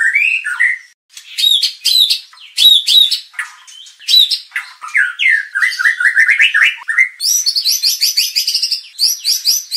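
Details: White-rumped shama song used as a lure to provoke contest birds into an aggressive display and a full repertoire. Varied, fast phrases of whistles, slurred downstrokes and buzzy trills. The notes keep shifting between lower and very high pitches, with no other sounds.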